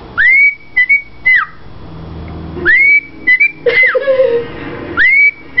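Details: A female pet rosella, showing off indoors, whistles the Andy Griffith theme song: a clear, pure tune of rising then level notes in short phrases about every two seconds, with faint household noise behind.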